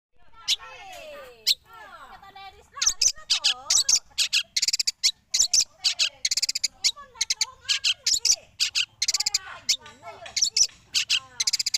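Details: Cendet from Madura singing a modern filled-in song style; rapid bursts of high, chattering notes alternate with sweeping, slurred whistles in a fast, varied stream.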